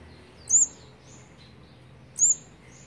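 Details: Olive-backed sunbird with its fourth brood of nestlings, being fed on day 18, 8 March 2020; two shrill rising-then-falling notes about one and a half seconds apart, with weak high ticks.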